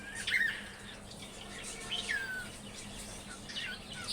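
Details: Cockatiel in Bangladesh giving three short, faint whistled chirps that sweep downward, spaced about every one and a half seconds, over a steady low hiss with a faint running-water sound.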